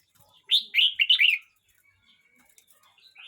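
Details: A red-whiskered bulbul, a young bird 12 months 29 days old, sings one rapid, cheerful phrase of four or five slurred, rolling whistles. Faint thin notes follow in a quiet background.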